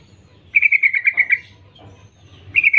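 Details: Rapid chattering burst of around eight bright notes from a female yellow-vented bulbul calling males, followed by a low murmur and the start of another burst.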